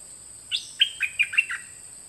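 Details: Caged dok taeng bird song recorded in 2020 for teaching young birds to sing along: a high buzzy opening note, then five short bright chirps rising and falling, quiet background.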